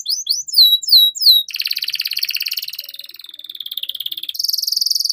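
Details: Canary song used as a lure to get young canaries singing fast: repeated rising whistled notes, then a rapid buzzy trill and a high fast rattle.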